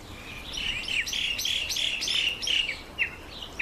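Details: Red-faced mousebird on its first visit to a birdbath: a busy run of high, thin whistled notes and short chirps, several each second, with faint background hiss.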